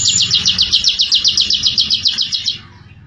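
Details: Bar-winged prinia (ciblek) giving a short burst of fast 'ngebren' trilling, high repeated notes for about two and a half seconds before stopping, over a faint low hum.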